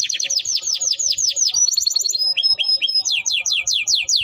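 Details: Clear Timbrado canary song of rapidly repeated descending swept notes, a brief sustained high whistle, then more falling sweeps in quick succession, with a quiet background.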